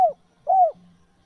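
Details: Spotted dove cooing, a recording used to lure wild doves: a clipped short coo followed by a longer, smoothly arched mellow note, then a faint low steady hum.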